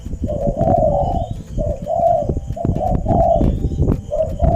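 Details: Caged spotted dove kept as a decoy bird, cooing without stopping, with the other birds in the house answering. Mellow, low coos in rhythmic phrases repeat about once a second over a loud rumbling, clattering background.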